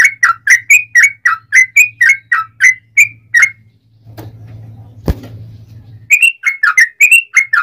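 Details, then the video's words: Yellow-vented bulbul repeating loud, clear, slurred whistles about three per second, a lure recording for other bulbuls; the run breaks for about two seconds of faint hum and a sharp click, then resumes. "trucukan gacor ROPEL PANJANG pancingan trucukan agar bunyi"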